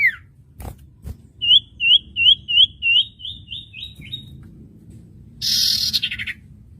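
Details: Common iora (cipoh) master recording for training newly bought songbirds: a series of crisp, hooked whistled notes repeated about nine times. A burst of harsh hissing noise follows near the end.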